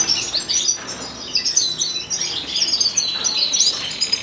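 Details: A wild Atlantic canary (Serinus canaria), recorded in 2015, sings a continuous high, fast run of twittering, trilled notes, bright and jumbled, with no pauses.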